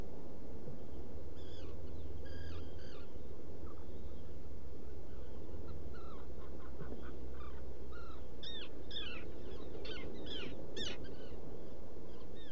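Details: Black guillemot in its rock-crevice nesting burrow on Seal Island NWR, Maine, recorded by a burrow camera at dawn on 14 June 2018: bursts of high, piping, downslurred notes come in quick runs and grow busier toward the end, over a low hum.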